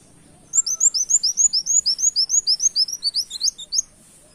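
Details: Lively canary-imitating song of a brown-throated sunbird, known as tembak kenarian, made for luring birds: after half a second of quiet, a steady stream of about twenty high, arched, squeaky notes runs without pause for over three seconds.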